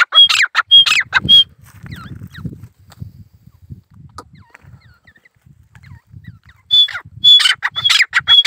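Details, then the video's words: A single male grey francolin in jungle gives quick, strident repeated calls with a sharp whistled element. It pauses for several seconds, leaving faint low rumbling and scattered small bird notes, then bursts into calling again. "Desi teetar awaz/boli/masi/ insan ka sat full masti/Jangal mai boli/akala nar boli"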